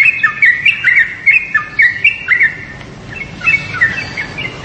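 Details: Yellow-vented bulbul uttering clusters of bright, bubbly chirps, pausing briefly near the middle before a softer second burst of slurred notes.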